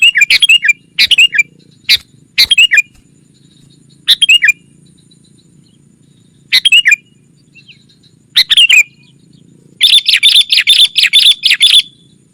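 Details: Sooty-headed bulbul lure call to summon wild rivals: bubbly, falling multi-note phrases in spaced bursts, ending with a long fast string of bright repeated chirps.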